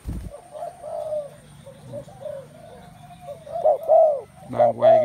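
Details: A chorus of spotted doves, with soft, distant cooing at first, then louder, rounded coo notes near the end, joined briefly by a low thud at the start.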